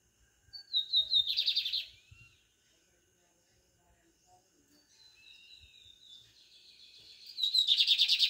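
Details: Lined seedeater, brownish-plumaged bird, singing: a high thin whistle sliding downward leads into a dense buzzy trill lasting about a second, then a quieter pause of soft notes before a second loud buzzy trill near the end.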